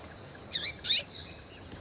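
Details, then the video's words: Double-collared Seedeater female, in breeding condition, calling to get males singing: a rapid run of three harsh, high buzzy chips within about a second, the first with a down-curving tail, the last softer and fading. "FÊMEA DE COLEIRO CHAMANDO MUITO QUENTE FOGOSA E PIANDO"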